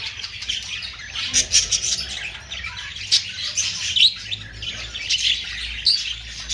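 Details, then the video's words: Overlapping budgerigar chirps and warbles, with louder sharp squeaks popping out about once a second over the steady chatter. "Austrailian perrot sound"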